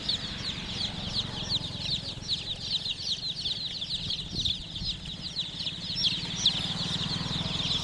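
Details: Chicken chicks in a group chirping constantly, rapid sharp high-pitched peeps piling over one another, steady background rumble throughout.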